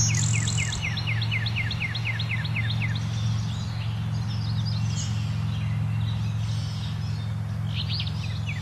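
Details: Blue-winged warbler singing on a branch, giving a quick run of about a dozen high, downslurred notes over three seconds, over a steady low rumble and faint calls from other birds.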